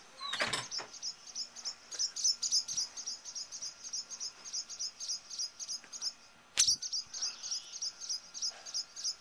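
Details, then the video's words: Two very defensive Barn Swallows near their nest, calling at a close intruder: rapid, sharp high chips repeated several times a second in a steady stream, with a few louder clicks or knocks. "Barn Swallows defending nest"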